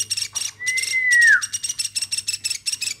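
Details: Hand-raised woodpecker, kept since it was a chick, giving short bursts of rasping notes around a long smooth whistle that holds steady, then falls in pitch.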